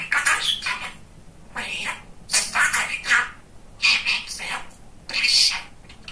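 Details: Pet male budgerigar, chatty and funny, talking in a room: high, scratchy mimicked speech in four or five clipped phrases with short silences between.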